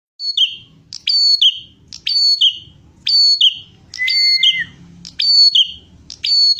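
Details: Bar-winged prinia in energetic, chatty song, used as a tutor recording for songbirds: a sharp, high, downslurred phrase of whistled notes repeated about once a second, one phrase adding a lower drawn-out whistle; faint low rumble underneath.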